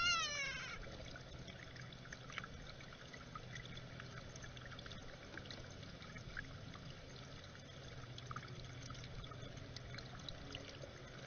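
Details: Gray catbird, with a juvenile starling also present, gives a single nasal, cat-like mew at the very start, then only a steady trickling, hissy background remains.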